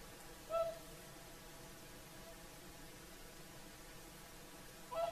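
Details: Whooper swans on the shore of Lake Saimaa, Finland, at sunset in the evening: two clear trumpeting notes, one near the start and one near the end, separated by about four seconds of quiet, steady background hiss.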